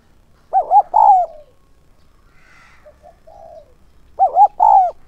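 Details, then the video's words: A decoy spotted dove calling in the 'son' style to attract wild doves repeats its phrase twice, about three and a half seconds apart. Each phrase has two rolling notes and a long coo, with quiet murmurs between. "Chim cu gáy mồi giọng SON chuẩn THÚC và GÁY GỌI kích bổi nhanh nổi hiệu quả"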